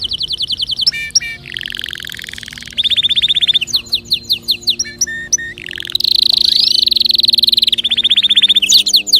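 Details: Singing canary, whose song is meant to set other birds singing, delivers nonstop varied tours: quick repeated chips, buzzy rolling trills and sustained high warbled passages, with a faint steady low hum behind.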